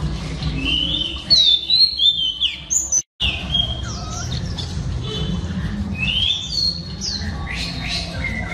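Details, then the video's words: Oriental Magpie Robin, a female singing to excite males, pours out sweet whistled notes, fast chirps and sliding phrases, with a brief dropout of sound early on and a steady low hum behind. "Than mái hót kích trống Oriental Magpie Robin Female"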